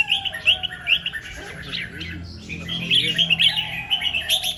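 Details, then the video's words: Red-whiskered bulbul in the morning, performing double 2-3 and rik song: warbled, wavering whistled phrases with quick downslurred notes, rising again toward the end. "เสียงนกกรงหัวจุก ร้องเบิ้ล2-3 ร้องริก"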